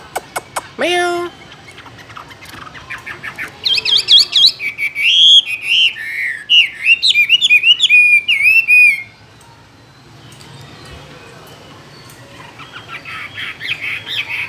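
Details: Caged Chinese hwamei bursts into a rapid sequence of bright, warbling whistles and trills for several seconds amid a soft background hiss, with a few clicks near the start.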